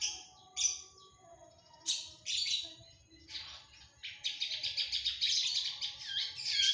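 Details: Active long-tailed shrike song rich in mimicked fills: separate sharp high chips and squeaky bursts, then a dense, rapid stream of bright twittering notes in the last seconds.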